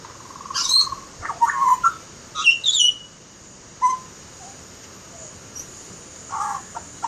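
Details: Butcherbird giving short melodious whistled phrases, warbled notes and quick rising and falling slurs in bursts with pauses between, against a faint steady high hiss.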